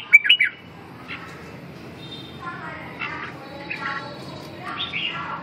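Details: Short burst of warbled, slurred whistles from a red-whiskered bulbul at the opening, followed by quieter scattered notes, a thin sustained tone and softer chattering against a constant low hum.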